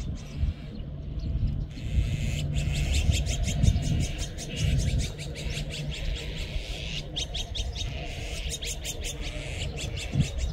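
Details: Clamorous Azure-winged magpie flock: scattered rasping chirps building into a dense burst of quick repeated calls, over low rumbling background noise.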